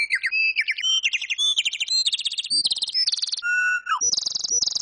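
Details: Pet talking bird vocalizing in a rapid string of varied whistles and warbles, shifting pitch from phrase to phrase, with a long pure whistle near the end.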